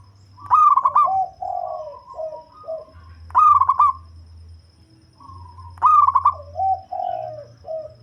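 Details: Local zebra dove noted for its deep voice and used to lure birds, singing three loud stuttering coo phrases about two and a half seconds apart, each trailing into lower, gently falling coos.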